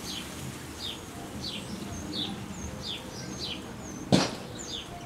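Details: Wren nestlings near fledging, fed by adults bringing varied prey. A steady series of high, falling chirps runs about twice per second. A sharp thump or knock sounds near the end.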